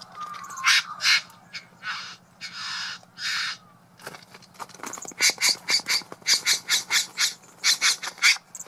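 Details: Male Satin Bowerbird performing an elaborate courtship display with mimicry at his bower; a few long harsh rasps and a whistled note give way to a fast run of short, clicking, churring bursts, about two per second.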